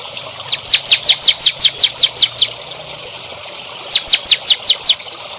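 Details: Training recording of a songbird for young birds: two runs of quick, clear, downward-sweeping whistled notes, about eleven and then six, steadily spaced, over a faint hiss.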